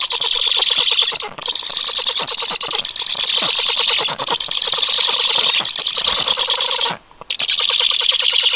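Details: Stork chicks calling in a steady, loud, high-pitched rasping chorus of rapid repeated notes, broken by two short gaps, near one and seven seconds.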